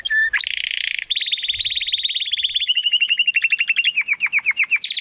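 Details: Young Spanish Timbrado canary searching for its full song, pouring out an unbroken rapid trill that gradually slows into separate downward-sweeping notes, ending on a higher rising phrase.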